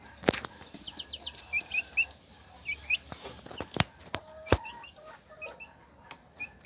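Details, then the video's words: Hen with her chicks: bursts of high, sweet, descending chick peeps in quick series, then several low, short hen clucks in the second half, punctuated by loud sharp clicks. "Gallina con sus Pollitos"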